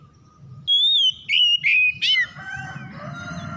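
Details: Oriental magpie-robin song meant to provoke other magpie-robins: one long whistle, then short sliding whistled phrases ending in a buzzy note, after which fainter overlapping chirps and a low hum continue.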